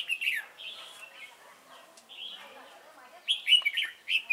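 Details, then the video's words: Decoy red-whiskered bulbul used in trapping at Chùa Hương, 28 November 2017. Clear liquid whistles, a slurred opening phrase, a softer middle, then a loud run of bouncy chirps. "Bẫy chào mào Chùa hương chơi mau mỏ"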